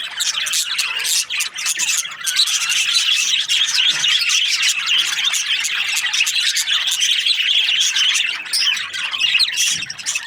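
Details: Budgerigars in breeding pairs producing a long, unbroken stream of rapid high chirps and buzzy warbling, many birds overlapping at a fairly even loudness.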